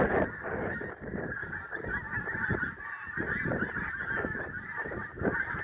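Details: Overlapping honks from a flock of geese at sunrise, Prestatyn, a steady clamour of many birds, with brief dips and a low, gusty rumble.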